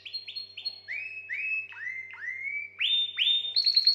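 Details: Canary song used to stimulate females for mating: a series of clear rising whistled notes, first high short slurs, then lower upswept notes repeated about every half second, ending in higher sweeping whistles.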